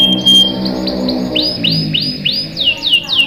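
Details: Canary, said to be a female in breeding condition calling the male, singing a series of repeated sweeping downslurred whistles after a thin high tone, over a faint low hum in the background.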